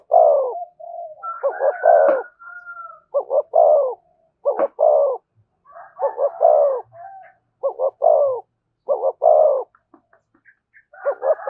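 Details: Spotted dove singing in the thổ voice with thúc and kèm phrasing. It gives a steady run of deep, rounded double coos. Thin higher chirps and short clicks are scattered among the phrases.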